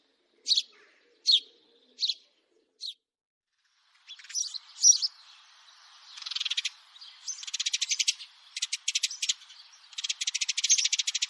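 House sparrow chirping: four bright, separate chirps about a second apart, then a busy run of rapid, buzzy chattering notes.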